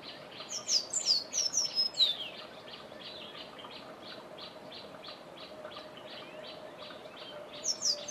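Forest canary giving a quick burst of very high, thin sliding notes, with a shorter phrase near the end, over steady rhythmic ticking and a low hum.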